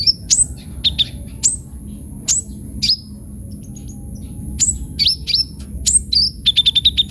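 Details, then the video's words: Sunbird, known locally as kolibri ninja, singing sharp, very high chirps and downslurred ticks spaced irregularly, ending in a fast run of five even notes, over a faint steady high whine and low rumble. "KOLIBRI NINJA GACOR FULL ISIAN"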